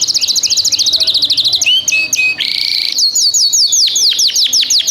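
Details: Ringed canary, ring year 2025, singing loud and close: a run of quick high whistled notes that sweep downward, then a brief buzzy burst, then a fast series of rising and falling whistles with no other sounds.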